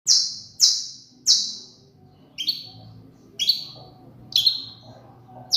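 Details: Saffron finch singing: loud, sharp high chips that slur downward, three quick notes then four slightly lower ones, each standing alone with short pauses between.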